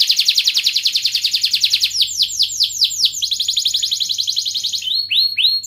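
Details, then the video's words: Canary in gacor singing style with ngerek, mbarong, cuit-cuit and ngerol passages, used to prompt lazy canaries to sing; fast series of high, sweeping downslurred notes, changing partway to a sharper, higher repeated phrase. "Kenari gacor NGEREK MBARONG Cuit cuit NGEROL"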